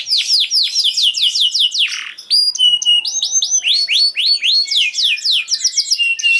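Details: Singing canary, played to make silent canaries sing again: rapid series of downslurred whistles, then steady clipped notes and rising sweeps repeated several times a second, loud and continuous.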